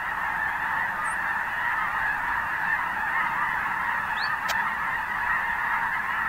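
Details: Snow geese massed on a marsh in Richmond near Vancouver, Canada, on Christmas Day 2018, in winter. Countless honking voices merge into a continuous, even roar. A short thin whistle and a single click stand out briefly.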